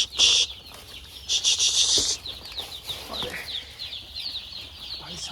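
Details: Poultry-farm chicks crowded into a box in cold weather cheep in quick, high, short notes, about one every one to two seconds, broken by two loud rustling bursts early on.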